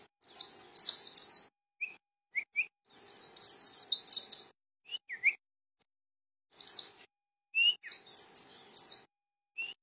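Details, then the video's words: Pleci dakun, the mountain white-eye, recorded around Cisewu in Garut, repeats bursts of fast high-pitched twittering several times, with scattered short chirps and slurred notes filling the gaps between bursts. "pleci dakun garut cisewu"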